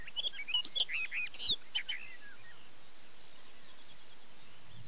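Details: Barred warbler recorded with a Canon EOS 7D at Erdőhorváti in the Zemplén, Tokaj region, Hungary, early May 2013: a quick burst of scratchy, chirping warbled notes lasting about two seconds, then near quiet.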